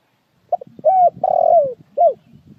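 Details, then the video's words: Spotted dove cooing one full phrase: a quick double note, a smooth hoot, a drawn-out vibrating coo that falls away, then a closing downslurred note over a low background rumble. "TIẾNG CHIM CU GÁY CHUẨN NHẤT"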